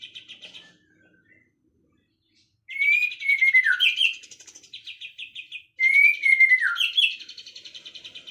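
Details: Afternoon birdsong: short chirps, then two loud phrases of descending whistled notes mixed with rapid high trilled buzzes, separated by a pause of about a second.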